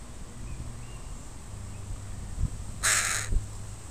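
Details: Parent crows with their young in a park, recorded on a Sunday: one loud, rough caw halfway through, with low humming background noise and a few soft knocks.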